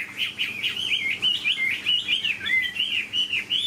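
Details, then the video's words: Chinese hwamei in a cage delivering a steady stream of clear, looping whistled notes, each phrase bending up and down, repeated rhythmically at roughly quarter-second intervals. "Chim họa mi bộ to như khướu, dáng ngũ trường, giọng hay"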